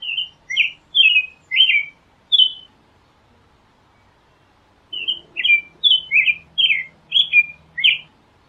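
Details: Singing American robin delivering a run of five fluty caroled phrases, a pause of over two seconds, then a longer string of about eight rapid whistled phrases rising and falling in pitch.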